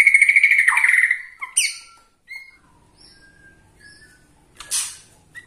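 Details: Borneo-type white-rumped shama whose singing is said to provoke rival shamas. The clip opens with a fast, loud trill and a downward slur, followed by sparse, quiet, short whistled notes and a final sharp burst.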